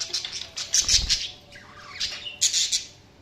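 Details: Budgerigars chirping: a busy mix of high scratchy chatter and squawky bursts, overlapping and irregular, with a low thump near the middle.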